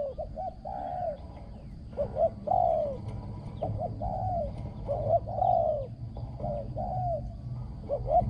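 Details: Spotted dove used as a ground decoy for luring, noted for very good coos. Repeated phrases of clipped double notes followed by husky, falling coos, over steady low rumble and faint distant chirps.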